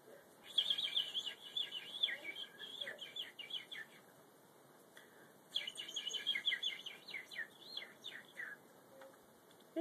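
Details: A pet budgerigar (parakeet) named Emma, in the morning, gives rapid warbling chatter, scratchy chirps and buzzy notes in two bursts of about four seconds, with a quiet pause between.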